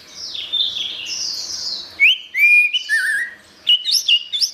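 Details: Orange-headed thrush singing in a gacor masteran recording for cage-bird training: an opening buzzy warbled stretch, then distinct clear whistles rising and falling, then sharp upswept chirps and twitters.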